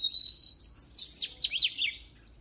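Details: Oriental magpie-robin song: a long clear whistle leading into rapid, sharply rising and falling trilled notes, quite loud and energetic.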